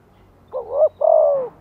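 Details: Two coos from a spotted dove in the gentle 'Thổ' lure voice, meant to get newly kept wild birds calling: a rising hooked note, then a long level coo that falls off at the end.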